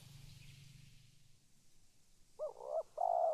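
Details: Spotted dove calling, a single late phrase of two quick coos and a longer drawn-out coo, after a stretch of low rumbling noise.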